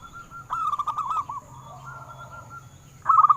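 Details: Local zebra dove singing in a recording meant to prompt captive doves: a rolling burst of soft cooing notes that fades into a faint drawn-out tone, then a sharp quick trill of short notes at the close.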